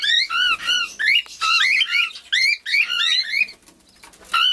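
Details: Young cockatiel in an aviary, producing quick bursts of shrill, slurred chirps that swoop up and down, sometimes overlapping. After a short lull near the end, the chirping resumes.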